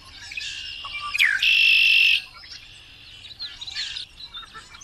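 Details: Singing Variable oriole: one strong phrase of a plunging whistle followed by a flat, buzzing held note, then quieter scratchy twittering and short chirps.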